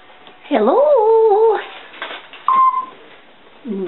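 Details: Female pet African grey parrot indoors, chatting to herself: a rising-falling warbled vocal phrase with clear harmonics, then a short steady whistle and a brief low sliding note at the end.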